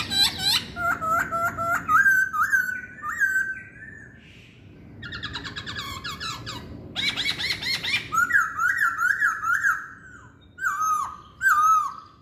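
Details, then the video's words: Chinese hwamei delivering a loud, varied song of rapid repeated slurred whistles, rising and falling phrases, short pauses, and bright high trills between the phrases. "Kicauan Poksay Hongkong"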